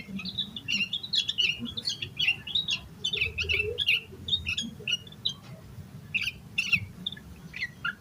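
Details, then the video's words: Agitated yellow-vented bulbul in nonstop song, played to stimulate other bulbuls to sing: dense run of bright, bubbly chirps and warbled notes tumbling over each other for the whole stretch, faint low rumble underneath. "Suara Burung Trucukan Gacor EMOSI KOSLET Full Isian Buat Pancingan Burung Trucuk Agar Cepat GACOR"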